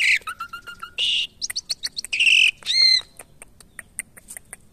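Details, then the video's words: Asian pied starling kept in captivity and being tamed gives a short run of level whistled notes, harsh buzzy squawks and rapid chattering clicks, then softer scattered ticks. "Menjinakan Burung jalak Suren"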